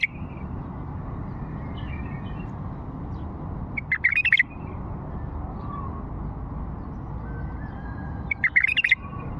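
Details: Two short, rollicking warbled phrases from an old Fao bulbul, about four and a half seconds apart, each a quick burst of clear notes. Steady low hum in the background.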